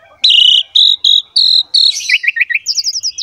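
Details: Javan pied myna singing for use as a training recording: several steady whistled notes of a half second each, then a quick rippling sequence of short bouncing notes that climbs higher.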